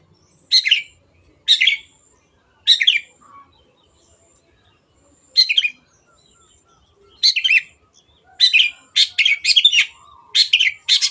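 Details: Long-tailed shrike singing energetically, used as a lure to get silent birds singing; harsh, buzzy bursts spaced about a second apart, then a quicker cluster of rasping notes near the end.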